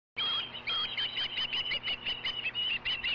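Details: Osprey at a ranch nest during a fish delivery, another osprey having landed first and been chased off: a rapid series of short, high, clear whistled chirps, about four per second, steady and unbroken.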